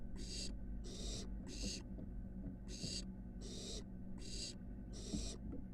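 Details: Barn owl nestlings at a University of Florida nest box, one reaching the building roof before sustained flight attempts; seven evenly spaced hissing screeches, roughly two per second, over faint rumble.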